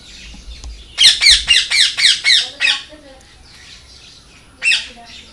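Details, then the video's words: Parrot giving loud, harsh squawks in a fast series of about eight calls, then a pause and one more squawk, with a faint background hum. "Loud Parrot Chirping ll Natural Parrot Sound ll Parrot Calling Sound"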